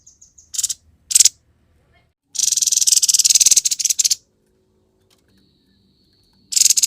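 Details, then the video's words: Grey-headed babbler konslet song: a few soft high pips, two short harsh bursts, then a long rapid buzzy chattering rattle of nearly two seconds, and another rattle beginning at the close. "TEPUS KEPALA ABU GACOR KONSLET"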